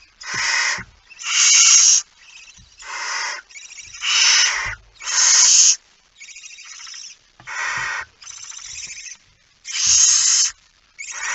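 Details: Barn owl with a mouse, 17 September 2019, 01:49, giving a long series of about eleven rasping, hissing screeches, loud ones mixed with quieter, shorter ones, with faint knocks.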